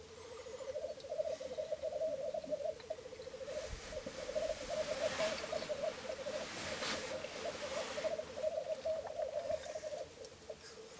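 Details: Three male black grouse at a lek, recorded from a hide in Florarna at dawn on 17 April 2013; an unbroken stream of bubbling, dove-like coo trills, with broad hissing swells in the background.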